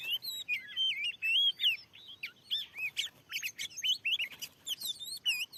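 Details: Wild Oriental magpie-robin, very aggressive, responding to a lure where a trap was newly set in a field; loud sweet whistles sliding up and down, hurried varied phrases packed closely with sharp ticking sounds.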